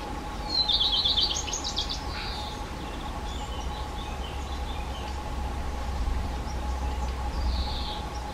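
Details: Black redstart singing a short, fast, high rattling phrase early on, with faint later notes and another thin phrase near the end, set against constant low mechanical hum and ambient noise.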